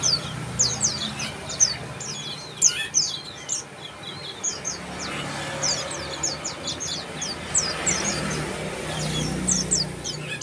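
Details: Bar-winged prinia giving quick bursts of thin, high, downslurred chirps in loose clusters through the clip, with brief pauses between runs and faint background hiss.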